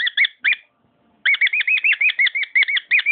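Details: Pet cockatiel singing: a short burst of bright, arched chirping notes, a brief pause, then a fast run of repeated rising-and-falling warbled whistles, about three per second.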